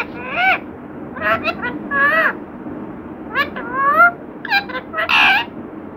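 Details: Talkative parrot copying words, giving arched, rising harmonic syllables in several short groups, ending in a louder, broader squawk-like note; constant faint room noise behind.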